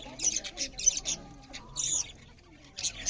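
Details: Eating budgerigars give short bursts of high, scratchy chirps, separated by quieter gaps with faint chatter.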